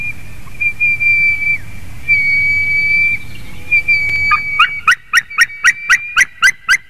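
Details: Female white-tailed eagle at a nest in Durbe, Latvia, calling from above at 8:35 PM on 27 April 2021 while a strange male eats her egg. Long thin whistled tones give way to a quick run of sharp, evenly spaced yelps.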